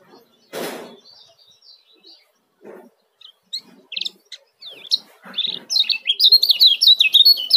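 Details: Scattered faint chirps and a few thumps, then a male kecial kuning from Lombok breaks into quick, high, rising and falling ciak notes during the last two seconds.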